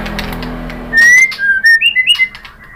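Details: White-rumped shama singing to provoke rival shamas into answering, a short burst of clear whistled notes, some sliding, some with a rippling upward flick, after a quiet start.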